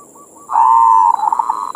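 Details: Perkutut (zebra dove) bait song in manggung style: a soft low note, then a long loud steady coo trailing into rapid wavering notes, with a steady high hiss behind.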